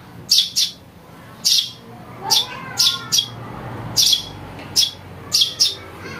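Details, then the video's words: House sparrow nestling chirping for a bird-luring recording: around eleven high, sharp chirps, mostly delivered in doubled pairs with short pauses between. "Suara anak burung greja untuk mikat"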